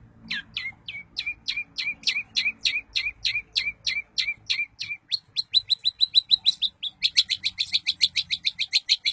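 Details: Daput-type long-tailed shrike song meant to stir other shrikes into singing: steady series of sharp high notes, each dropping into a short whistle, then quicker bright clicks and a fast chattering trill at the end.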